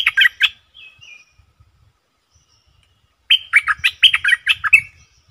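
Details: Caged stripe-throated bulbul singing, recorded 7 June 2021: two bursts of rapid, chattering, warbled notes, one at the start and a longer run after a pause, with a brief softer phrase in between.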